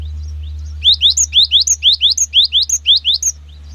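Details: Long 'wucit wucit' phrase from a cinereous tit, used to coax other birds into singing: around twelve crisp upslurred whistles in alternating low-high pairs, over a steady low hum.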